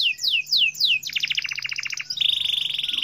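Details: Canary in gacor song, a strong, nonstop singer: a few loud descending whistled sweeps, then a fast rattling trill of rapid notes, ending in a steady buzzy high trill.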